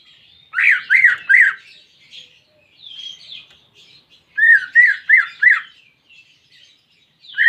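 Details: Greater green leafbird song used to coax a silent caged bird into singing: two bursts of three rapid, arched whistled notes separated by softer chattering phrases.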